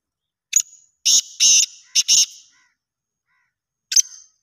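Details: Black francolin from Pakistan giving one loud grating phrase: a high opening note then four harsh, buzzy bursts in quick succession, followed by silence and another sharp note.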